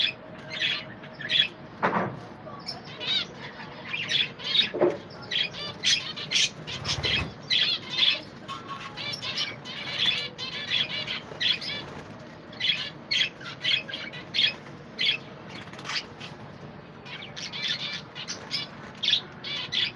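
A group of budgerigars chatters nonstop in quick, scratchy chirps and squeaky warbles.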